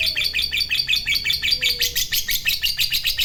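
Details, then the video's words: Lovebird kept as a fighter bird, giving a long ngekek chatter said to provoke other lovebirds: a rapid, steady run of harsh high chirps, roughly eight notes per second, continuing without a break. "Suara Burung Lovebird Fighter Ngekek Panjang"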